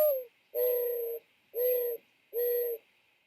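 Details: A Mourning Dove near Boston, a call often heard in the morning or evening, gives soft, low, hollow coos: a brief sliding opening note, then three long, steady hoots about a second apart.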